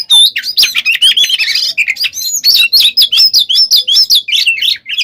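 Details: Energetic Oriental magpie-robin song meant to rile other birds: dense, buzzy chatter mixed with bright looping whistles, delivered as a rapid continuous stream.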